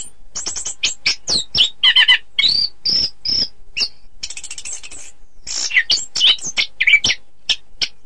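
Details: Song of the orange-headed thrush, known locally as anis kembang, used to train contest birds: a lively, jumbled stream of high thin whistles, trills and quick chips with short pauses, changing note shape almost every beat.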